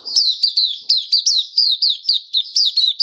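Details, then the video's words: Loud, clear singing from a kept white-eye, 23 March 2022, diet suited to warm humid weather: evenly paced high, slurred whistles falling in pitch, several per second, with almost no background noise. "Mata Puteh Kitaro Video 1 buka sing"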